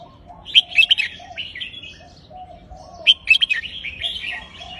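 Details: Caged red-whiskered bulbul singing phrase-counted song to stir birds: two loud clusters of rapid whistled notes about two and a half seconds apart, each trailing into chattering warble.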